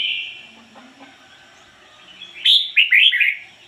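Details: Caged decoy red-whiskered bulbul singing in a standard voice: a single whistled note opens, then after a quiet gap a quick burst of rich, warbled, up-and-down phrases, with faint low background hum.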